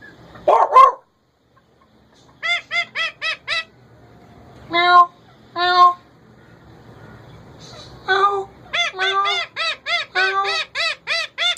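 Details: A caged male ringneck gives a harsh burst, then groups of evenly spaced arched squawks, two louder low screeches and a long closing run of rhythmic harmonic calls.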